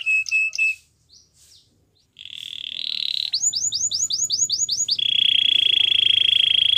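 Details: Gloster canary song: a few short notes, a brief pause, a rolling trill, then seven quick arched notes and a sustained rapid rolling trill to the end.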